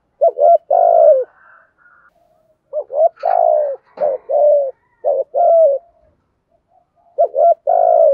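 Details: Spotted dove in the thổ voice style with thúc gù cooing, used to train and lure doves: paired short low notes followed by a long falling coo, phrases repeated, with faint chirps between.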